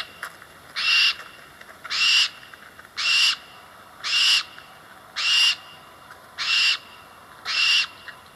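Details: A Barn Owl in the eastern United States gives seven harsh, hissing, haunting screeches, each about half a second long, repeated roughly once a second against a quiet background.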